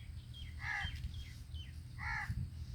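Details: Black francolin in Sindh, a caged bird, giving two loud harsh calls about 1.4 seconds apart, each a brief grating burst with strong harmonics, against steady low rumbling noise, with a man calling out nearby.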